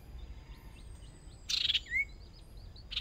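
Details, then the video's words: Hwamei used as a contest decoy, practising for the first time: a sudden harsh rasping burst, then a single rising whistled slur, with faint repeated chirps and hiss in the background. "Chim Huýt Cô Mồi Mới Lên Lần Đầu Dợt Lụp Nhỏ Đấu Căng Lửa Thật"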